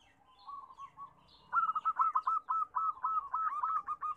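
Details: Perkutut lokal, zebra doves, in a busy chorus aimed at getting reluctant doves to sing: low soft cooing first, then from about 1.5 seconds loud, rhythmic, rolling coos repeated in quick succession.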